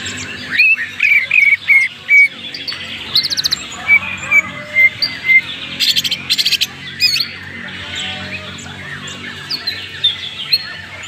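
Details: Greater green leafbird of genuine Banyuwangi stock, Indonesia, singing a rich 'isian' filled song: sharp high whistles and slurred notes, then bursts of fast buzzy trills around six seconds, with lively chattering phrases continuing over a soft background hiss.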